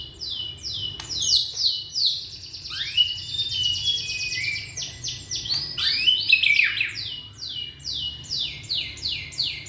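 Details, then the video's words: Young Indonesian white-rumped shama singing as a lure to get silent shamas going: a fast series of thin, very high downslurred notes repeated steadily, mixed with a sustained shrill trilled passage and swooping phrases. "Murai batu muda tunjukan pesona,cocok buat pancingan murai macet bunyi"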